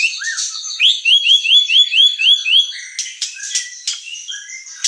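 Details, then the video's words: White-rumped shama (murai batu) singing hard in a bird-provoking training recording: a row of about eight even, rising whistled notes, roughly two per second, then sharp chips and scattered higher chirps. "Pancingan emosi dan masteran murai batu gacor | shama bird singing"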